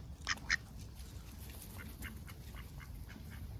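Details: Close-up duck on a heavily overcast day gives two sharp, loud quacks in quick succession, followed by a few faint softer calls against low ambient rumble.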